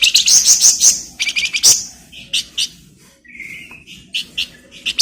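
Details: Energetic flamboyan bird song meant as a master for magpie-robins: a quick string of loud shrill notes, sharp repeated chips, and a lower drawn-out whistle midway.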